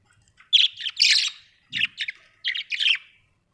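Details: Budgerigars kept as pets at home chatter in short clusters of scratchy, buzzy chirps separated by brief gaps, with one soft low thud midway.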